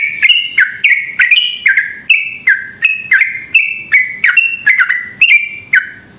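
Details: Unbroken stream of chattering, bubbling whistles from a sooty-headed bulbul singing long 'ropel' song to lure and stimulate other bulbuls; phrases come about twice a second, a thin steady high whine beneath.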